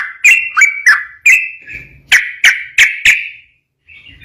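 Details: Yellow-vented bulbul 'ropel' master song: a handful of punchy whistled notes with downward tails, a short trill, then four more sharp notes at half-second spacing before a brief silence.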